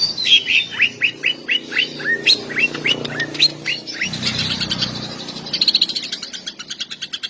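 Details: Greater green leafbird singing long shooting phrases to stir mating urge and anger in other males: a steady series of rising whistled slurs, each repeated about twice a second, followed by rapid chattering trills.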